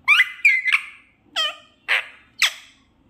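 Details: Desi parrot talking in a sweet voice indoors: a few short squawky, harmonic speech-like phrases, first a quick run of three linked syllables, then three separate clipped bursts about half a second apart.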